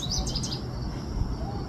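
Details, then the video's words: A canary sings from a dry branch at the top of a tree, very far and high: a quick run of four or five bright, high chirping notes in under a second, then quiet over a steady outdoor rumble. "A ringing canary on the top of a tree. Звонкая канарейка на верхушке дерева."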